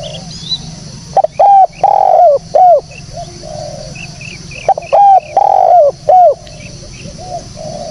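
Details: Repeated cooing of a spotted dove, recorded clearly as a lure: two phrases of short, long and short low coos, separated by quieter distant coos and thin high bird notes.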